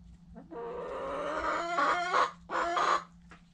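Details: Close-up white Silkie rooster crowing: a long, harsh, richly harmonic crow that swells and breaks into a rasp, followed after a short pause by a briefer second burst, over a steady low hum.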